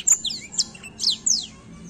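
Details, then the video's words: Black-throat song: a quick series of thin, high chirps and short downslurred whistles in four separate bursts, with quiet gaps between them and a faint low hum underneath. "a bela canção do pássaro blackthoat"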